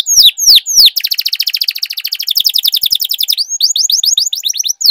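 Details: Canary in long-rolling training song for canaries that have stopped singing: a few loud descending swoops, then a fast, dense buzzy trill lasting over two seconds, then crisp repeated downslurred notes in quick succession.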